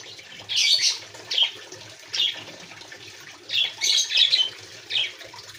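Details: Quail in an aviary giving scattered high, rasping chirps, first a pair of bursts, then a quiet stretch, then a tight cluster of three or four calls, over low rustling.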